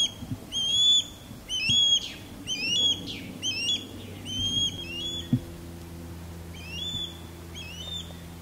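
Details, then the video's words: Male Osprey calling during a courtship sky dance above a backyard, with a female calling loudly from a tall longleaf pine: rapid runs of piercing, rising whistled chirps, slowing and fading toward the end over steady low hum. "Osprey Sky Dance And Mating Calls"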